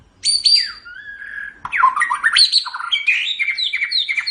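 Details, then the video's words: Caged white-rumped shama used as a song tutor, delivering a fast, varied phrase of high sweeping whistles, down-slurred notes and chattering trills running continuously. "MASTERAN GACOR - Suara Burung Murai Batu"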